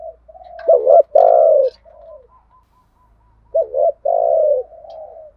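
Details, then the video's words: Spotted dove calling in the 'thúc gù' and 'gáy gọi' lure styles, used to rouse captive birds: two rich, low, rolling coo phrases with a quieter soft hooting run between them. "Tiếng chim cu gáy mồi giọng lôi cuốn hấp dẫn đủ bài[ THÚC GÙ , GÁY GỌI ]"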